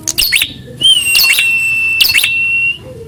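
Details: Prinia calling back at a rival in a fighting test: a few sharp chips, then a long, even, high whistle held nearly two seconds and crossed by more loud chips.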